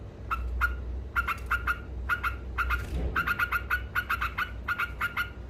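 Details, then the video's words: Yellow-vented bulbul in full ngekek song, quick sharp chips accelerating into dense runs after a short rustle, low hum throughout. "Suara Burung Trucuk Ngekek Gacor"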